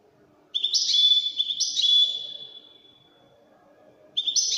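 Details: European goldfinch of the Widani kind: after a moment of quiet, a loud burst of sharp, ringing twitters and a drawn-out trill that fades away, then a new phrase begins.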